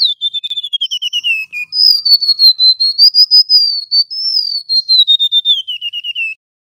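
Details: Male Golden-bellied Gerygone singing loudly, a high, thin, wavering whistle of rapid notes, first sliding down, then rising and falling again, about six seconds long.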